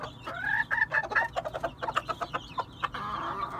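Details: Red junglefowl calling in an uneven stream of hoarse clucks and brief tonal notes, some slightly rising, with a low steady hum behind.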